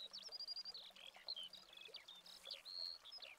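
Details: Skylark song recorded in Spain in August 2020 on a Canon 7D Mark II, a fast continuous babble of sharp twittering notes, short whistles and trills pouring out without a break.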